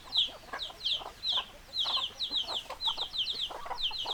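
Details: Chickens clucking: quick high squeaky notes repeated in bursts, mixed with softer low clucks and faint background noise.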